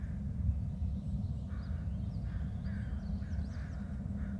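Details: Two adult bald eagles call back and forth in a run of brief, high, slightly nasal piping notes with quick upslurred chips, set against a steady deep background roar.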